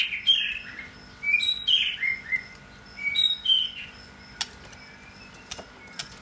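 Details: White-rumped shama, a caged male approaching his third molt, giving a few clear whistled phrases early on, then quieter with scattered clicks and a steady background hum.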